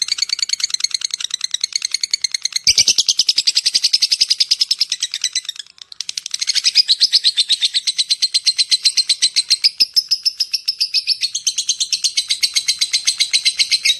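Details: Lovebird giving long chattering calls meant to draw in other lovebirds: a continuous stream of harsh, rapid shrill chirps, briefly broken near the middle, then resuming loud and dense.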